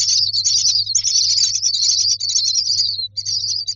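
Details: Myna chicks in a nest box asking for food: continuous high, scratchy wheezing calls running together with little break, a short pause near the end before resuming, over a steady low hum.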